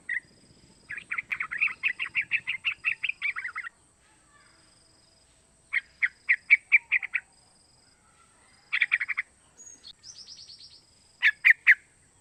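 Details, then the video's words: Sooty-headed bulbul youngster of three months calling to lure other bulbuls into song: long rapid series of bright chirping notes, then shorter bursts, plus a brief high thin trill from another bird. "Suara Panggilan trucukan muda pancingan trucukan agar bunyi"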